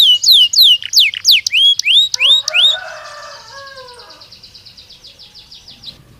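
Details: Training stimulus song of a Belgian canary: loud swooping whistled slurs at a slow steady pace, then a softer warbling passage and a fading buzzy trill.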